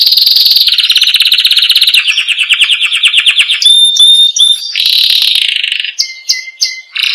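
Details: Master canary singing; loud trilled tours of rapid repeated notes, dropping from a high trill to lower rolling phrases, then pure whistled tones and short sharp notes, with no other sounds.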